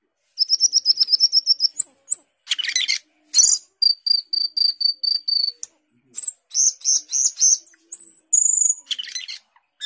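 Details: Asian glossy starling, known for imitating other birds, in vigorous 'gacor teler' song: rapid trilled whistles, a harsh burst, steady repeated high piping notes and closing scratchy chatter.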